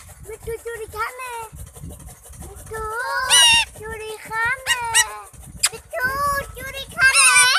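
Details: Pet green rose-ringed parakeet talking in Urdu, repeating "main mithu"; nasal, speech-like syllables mixed with loud harsh high squawks, with background murmur and low rumble.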